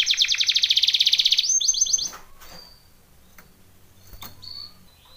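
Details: Belgian canary singing for training: a fast, high, evenly pulsed trill for about two seconds, switching to a sharper, quicker roll, followed by near silence with a few faint short notes.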